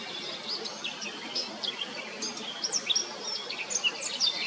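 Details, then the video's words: Eurasian blackcap song: a run of bright, quick, high notes mixing short whistles and scratchy chips, growing louder and denser toward the end, against soft background noise. "Zwartkop zingt"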